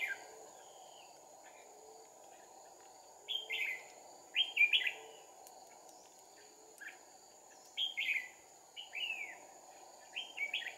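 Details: Red-whiskered bulbul fighting song during trapping with two decoy birds, dated 2/4/2019: short phrases of emphatic, downward-slurred whistles repeat every one to three seconds, separated by quiet stretches with a faint constant high tone.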